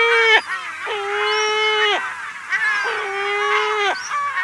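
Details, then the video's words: Lesser black-backed gull giving long, drawn-out mew calls in a colony, close up, each about a second, held level and slurring down at the end, with faint gull voices behind; Walney Island, Cumbria, UK. "Lesser Black-Backed Gull. Mew Calls In Colony"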